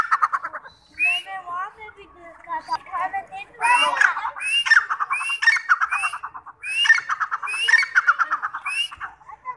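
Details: Grey francolin, locally called teetar: a series of loud, harsh rising notes alternating with rapid rattling clucks, repeated in rhythmic bursts throughout.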